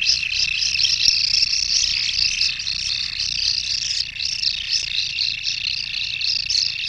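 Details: Sound from a common kingfisher nesting burrow: continuous high buzzy calling with a rapid pulsing rhythm, scarcely pausing, over a faint low rumble.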